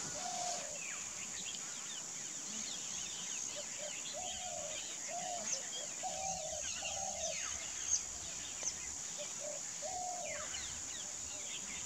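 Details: Bar-headed goose filmed close up, giving short nasal honking notes in an irregular series, some in quick pairs, over a steady high insect drone with faint chirps of other birds behind.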